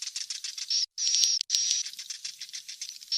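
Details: Young swiftlets' calls, used to lure swiftlets to roost: high, hissing, buzzy chatter with a faint thin whistle, cut by two short silences near the middle.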